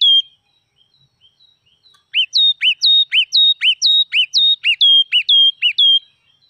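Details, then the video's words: Forest red-whiskered bulbul, a wild bird, delivering one brief note and then, after a pause, a long steady run of about a dozen clear whistled notes at an even pace. "Chim chim mào rừng hót cực kì"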